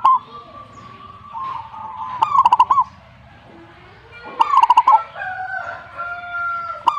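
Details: Zebra dove giving two bursts of rapid trilled cooing, with steady whistled tones and other faint sounds behind.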